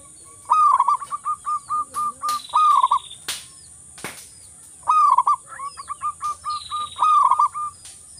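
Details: Zebra dove of local wild stock singing to encourage silent doves: two phrases of rolling coos with trains of short, repeated hoots, accompanied by sharp clicks and a faint high whistle.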